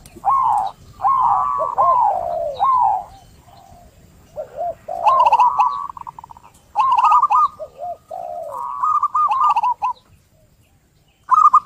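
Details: Zebra dove song for stirring a quiet bird to sing, heard as rolling, tremulous coo series that dip and rise, with several voices overlapping and then a quiet pause near the end.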